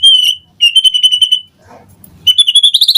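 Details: White-rumped shama morning lure song to prompt a reply: a long, level, high whistle, then a series of quick repeated whistled pulses, a brief soft pause with low rustling, and another pulsing whistled series.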